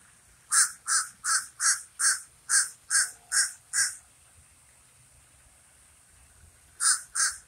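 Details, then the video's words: Nine rapid, hoarse caws from a common raven in a steady run, then silence for about three seconds before two more calls close the sequence. "Raven says never more"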